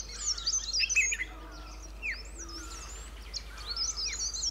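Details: A pair of White-cheeked Bulbuls perched in a shrub thicket at a sanctuary at Pari Tibba, Motidhar, calling out; busy high chirps, quick whistled slurs and sharp rising notes pour out in dense overlapping bursts, with another bird's steady calling in the background.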